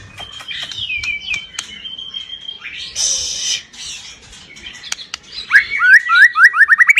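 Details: White-rumped shama with a rough, forceful 'nembak' song: a long level whistle crossed by clicks, a harsh noisy burst, then a quickening series of about eight bright, rising whistled notes.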